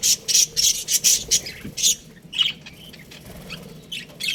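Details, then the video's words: Baby budgerigars calling in an aviary, a run of short shrill chirps repeated about every quarter second, then softer scattered squeaks and rasps. "Baby Budgies Chirping Sounds | Amazing budgies aviary"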